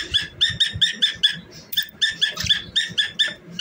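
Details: Pet cockatiel singing and dancing: a run of short, bright chirps with strong harmonics, roughly four a second, breaking off briefly mid-way before resuming in the same quick rhythm.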